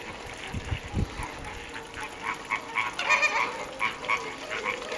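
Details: Caribbean flamingos at WWT Slimbridge, England, on 4/5/2011: a captive flock giving overlapping nasal, honking calls in quick irregular bursts, with low thumps and broad background noise.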